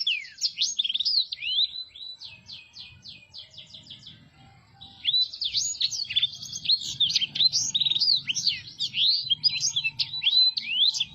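A Black-throated Canary sings a long, rapid, high warble of sweeping notes and fast trills, pausing briefly midway, over a faint low background hum.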